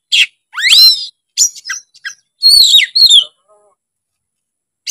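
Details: Oriental magpie-robin giving loud scratchy bursts, a sweeping upward whistle and tumbling high chattering phrases, separated by short gaps and trailing into quiet.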